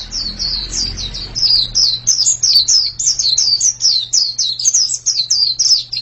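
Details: White-eye song starting after a brief low rumble, then a lively series of high, sweet falling whistles in quick succession above a faint hum.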